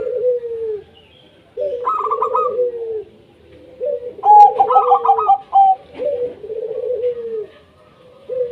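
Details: Lure song of a local wild zebra dove used to encourage reluctant doves to call: rolled, stuttering high notes then drawn-out low falling coos, in a steady series with brief pauses.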